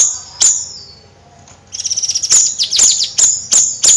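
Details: Bayeman songbird in energetic nyrecet song: a lone high chip, a quiet gap, then a fast rattling trill leading into sharp, high, downward-flicking chips about every third of a second.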